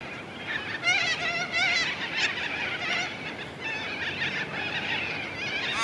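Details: Australian wood ducks in Perth, Australia, give repeated nasal, rising mew-like calls, several birds overlapping in a steady chorus over a soft background hiss.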